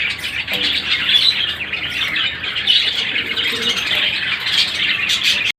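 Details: Indian ringneck parakeets kept as breeder pairs in captivity, heard as a dense, continuous chorus of shrill, harsh squawking and screeching calls overlapping across the whole stretch, with a few sharper clicks near the end.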